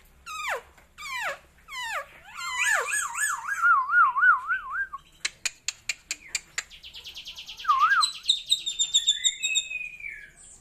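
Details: Kept Asian glossy starling with a showy, unusual fill-in song: three steep down-slurred whistles, a long wobbling warble, a rapid click series, then a buzzy rattle carrying thin high whistles.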